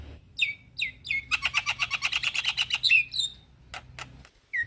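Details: A male Javan myna calls to young companions with several sharp descending whistles, then a rapid rattling chatter of about twenty grating notes, more falling whistles, and a final downslurred whistle after a pause.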